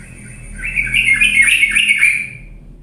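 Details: Sooty-headed bulbul used as a lure to make lazy birds sing energetically. One chattering, buzzy trilled phrase wavers around a bright mid pitch for about a second and a half, with a faint hum underneath.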